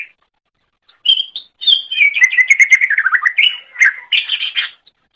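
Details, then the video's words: A greater green leafbird song used for training other birds: a continuous, lively stream of slurred whistles that falls gradually in pitch, then jumps to higher buzzy chattering notes near the end. "Masteran Suara Cucak Ijo"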